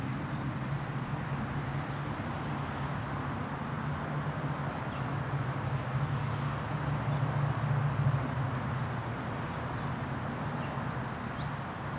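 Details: Steady low rumble of passing traffic with no animal calls standing out.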